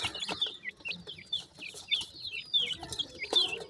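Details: Black partridge chicks give clear, piercing peeps that slide down in pitch, about two per second, over light scratching.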